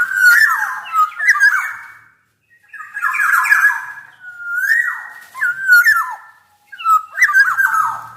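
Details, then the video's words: Golden oriole (kepodang emas) singing loudly as a master and lure recording: rich fluty whistled phrases with sliding, slurred notes and brief harsh edges, delivered in bursts of about one to two seconds separated by short pauses. "KICAU SUARA MASTERAN DAN PANCINGAN BURUNG KEPODANG EMAS GACOR"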